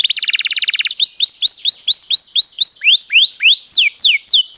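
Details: Canary singing a long rolling song for use as a master: it opens with a rapid low pulsed trill, then continues with a steady series of upward-sweeping whistled notes, each about a quarter second long.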